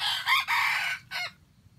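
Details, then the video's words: Wild junglefowl crowing with an earthy voice as bait in a trap: a loud, harsh crow of a short opening note, a long drawn-out middle note and a brief falling final syllable, over a quiet background. "Trap wild chickens with bait and crow with an earthy voice"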